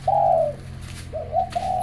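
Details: A caged zebra dove cooing in the early morning, competing with others, gives a soft, drawn-out trilled coo followed by a quick run of short, bubbling cooing notes, with a faint low hum.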